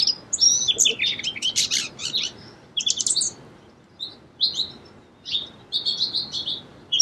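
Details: Repeated bursts of song sparrow song: busy tangles of high whistles and buzzes, short pauses, then further phrases of clear notes and quick trills continuing to the end.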